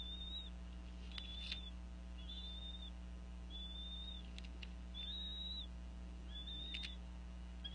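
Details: Female bald eagle at a Northeast Florida nest, vocalizing over a fish as both parents feed eaglets around 4:40 pm in January: a series of high, thin whistled notes, each slightly rising then falling, repeated irregularly, over a steady low hum.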